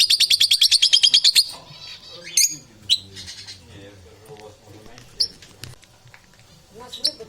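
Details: Lovebirds making strange sounds and crunching: a fast burst of about a dozen high, sharp chirps in the first second and a half, then scattered squeaks, clicks and short shrill calls.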